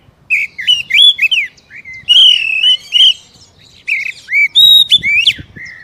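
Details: Captive-bird prompting song of an Oriental magpie-robin: three loud phrases of clear slurred whistles, rising and falling notes and quick chirps, with short pauses between them.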